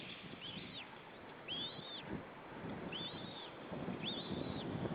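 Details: White-tailed eagle with a single chick in a nest in Estonia, 25 April 2013. Thin high squeaky whistled calls, slurred up and down, come in short bursts about once a second over steady background noise.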